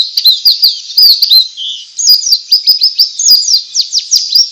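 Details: White-eye singing ngalas to prompt other white-eyes to sing: dense, unbroken high twittering of rapid squeaky slurred notes, the pace quickening into fast sharp chirps in the second half.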